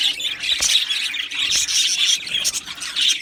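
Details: Several budgies, Australian parrots in an aviary colony, chatter in a thick stream of high twittering and scratchy squawks, punctuated by a few sharp clicks; constant faint hum in the background.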